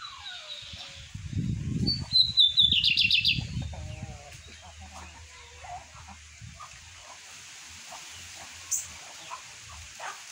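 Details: Around 8:30 in the morning a caged lined seedeater gives a whistled note and a quick trill, while a man talks quietly underneath; softer scattered chips follow.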